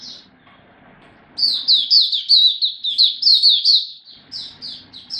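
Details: Oriental white-eye singing in a song display, kept as a hobby bird, recorded 26 November 2022. After a quiet start, a sudden loud run of quick, sweet, downslurred chirps about five per second, ending in a few spaced notes.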